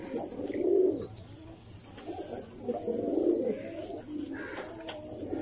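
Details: Domestic pigeons cooing: low, throaty rolling coos in bursts near the start and again around the middle, with faint higher chirps and light background noise.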